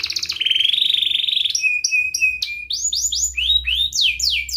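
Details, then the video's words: A canary sings steadily as a lure to teach young canaries and stir lazy ones into song: a rippling trill, then short clipped whistles and a series of bright, rising-falling swept notes in quick succession. "Kenari Gacor Ngerek Menekan Lawan Ahlinya pancingan Kenari paud belajar Bunyi dan Kenari Malas Bunyi"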